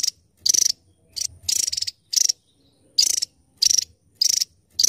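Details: Javan tesia repeating high, rattling trilled bursts about every half second, with a brief gap midway.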